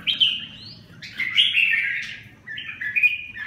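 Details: Red-whiskered bulbul, the type called Bạch hồng cước, singing: bright warbled phrases with quick upward slurs and a clear whistled note, three short bursts in a few seconds, faint low rumble behind.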